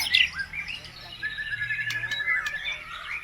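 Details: White-rumped shama in full lively song packed with phrases of other birds, played as a lure to make other birds answer; varied chattering and whistled notes sweep up and down, loudest at the start, then a long thin whistle.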